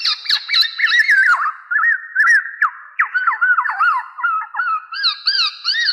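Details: Black-naped oriole (kepodang emas) master sound for trapping: continuous looping, liquid whistles in short rising-and-falling phrases, with crisp ticking notes scattered through.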